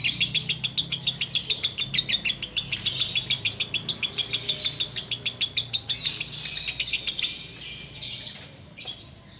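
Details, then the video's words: Long ngekek bout from a sooty-headed bulbul during the Ramadan wait to break the fast: some seven seconds of fast, regular high chattering notes before trailing off into quieter chirps and a low hum. "Menikmati Ngekek Biang Kerok"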